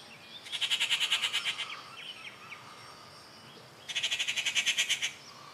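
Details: Rufous treepie at Kattupadi, June 19, 2021, giving two bursts of fast, rattling, metallic notes, each about a second long, separated by a pause with faint softer calls.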